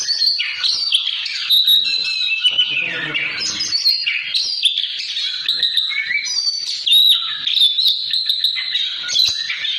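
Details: Oriental magpie-robin (kacer) singing in the choppy 'ngobra patah' style used as a masteran to train other birds: loud, unbroken rich song of whistles, warbles and chattery rising and falling notes, with a rougher lower burst near three seconds.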